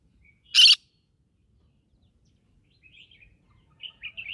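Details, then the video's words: A green-cheeked conure living in the middle of a rice field gives one loud, harsh screech, then after a pause a few soft, high chirps and twitters. "Green cheek conure singing"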